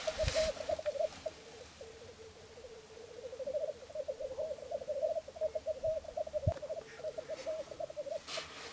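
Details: Three male black grouse displaying at a lek seen from a hide at Filsartrusket, Florarna, Sweden, early morning on 17 April 2013: a steady low bubbling, cooing roll running almost without pause, broken by a couple of sharp hissing sneezes.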